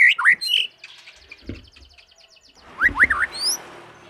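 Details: Young white-rumped shama singing to provoke other shamas into singing: loud, rich whistled phrases with swooping notes, a softer scratchy middle stretch, then more rising and falling whistles with faint background noise.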